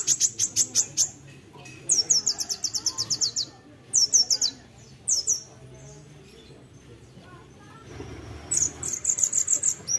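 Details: Olive-backed sunbird, known locally as kolibri ninja, singing in the lively gacor isian style: rapid series of high, sharp ringing notes in bursts, a sweeping slurred phrase around four seconds, pauses, then another fast run near the end.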